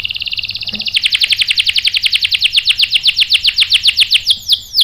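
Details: Canary rolling song from a lure recording meant to make other canaries answer: a rapid, even pulsed roll of about eight notes a second, ending on a few swooping notes.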